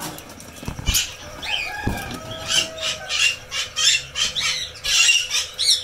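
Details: Red lory (Eos bornea) giving harsh, grating screeches in quick bursts, roughly one or two a second, with a couple of dull knocks early on.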